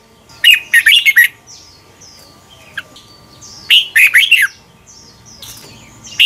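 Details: {'caption': 'Red-whiskered bulbul song from Thailand, used to train birds to copy: bursts of four to five clear, downward-slurred whistles about three seconds apart, with soft high chirps and a click between phrases.'}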